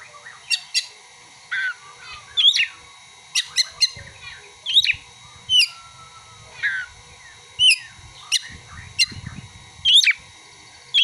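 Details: Kacer song woven from imitated prinia and sunbird calls: a long series of crisp, high piercing chips and short upslurred whistles spaced under a second apart, with one thin drawn-out whistle midway.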